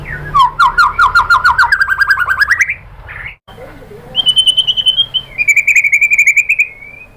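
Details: Murai batu (white-rumped shama) lure song to provoke singing: a fast rising series of repeated notes, a pause, then two bursts of quick high pulsed trills.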